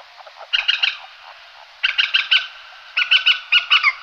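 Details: Common moorhen giving typical alarm calls: groups of short, sharp, clicking kek notes in quick bursts of three to five, separated by brief pauses, over a steady background hiss.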